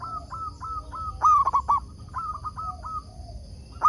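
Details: Zebra dove of local stock used as a lure to make wild doves reply, singing a string of clipped level coos broken by a louder rolling, wavering burst, then more coos. Steady thin high tones run underneath.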